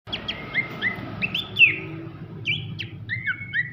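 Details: Sooty-headed bulbul song: clear whistled notes, some slurred upward and some falling, in a loose run of short phrases over a steady low background hum.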